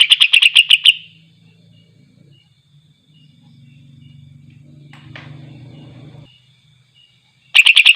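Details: Greater green leafbird singing to provoke rival leafbirds: a burst of rapid, high chattering notes at the start, a lull with faint low hum and scattered soft chips, then another quick bright chatter at the end.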